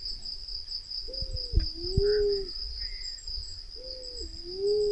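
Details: Black-naped fruit dove (Ptilinopus melanospilus), used as a lure call to gather the doves, gives two low, drawn-out hoots, each dipping then rising, about three seconds apart, over a steady high insect whine.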